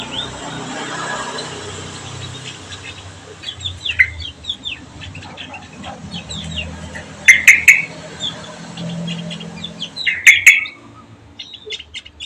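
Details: Songbird kept at home as a companion for a Javan white-eye; scattered high twittering over steady background noise, broken by two loud bursts of harsh repeated notes about three seconds apart.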